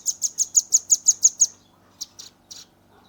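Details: Young velvet-fronted nuthatch, recorded by phone, in rapid 'nembak' song: nine loud, sharp, high notes in a steady quick series within about one and a half seconds, then three softer raspy chirps after a pause.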